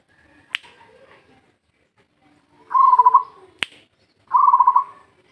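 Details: Zebra dove of a local strain, used as a lure recording, gives two quick rattling coo phrases of evenly pulsed notes, separated by sharp, snapping clicks.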